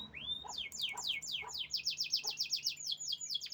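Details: Canary song opening with a rising whistle, then fast repeated downward-sweeping notes rolling into a dense, bright trill, with brief low clicks between phrases.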